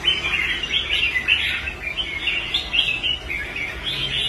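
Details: Caged red-whiskered bulbul, a former fighting bird bought and rehabilitated, singing on its perch: a steady stream of quick, bubbly chirped notes repeated without pause, over a constant low background hum.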